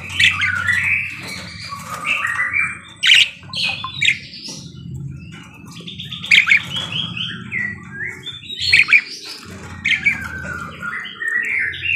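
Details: Parakeet singing energetically, a busy run of high chirps, scratchy twitters and short warbled notes in irregular bursts, with a soft low hum underneath.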